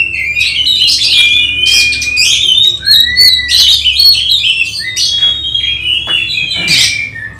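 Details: Oriental magpie-robin preparing for a singing competition at home: long clear whistles sliding downward alternate with scratchy chattering notes in a continuous, loud song, with a faint hum behind.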